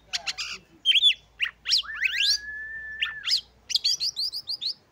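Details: Caged Oriental magpie-robin singing to rouse other magpie-robins' breeding urge: sharp clicks and chips, rising slurred notes, a long level whistle, then a quick series of repeated bright chirps.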